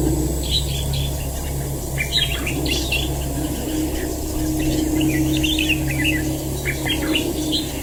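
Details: Fighting red-whiskered bulbul in a trap giving repeated clusters of bright, slurred chattering notes across the recording, with a continuous low droning hum beneath.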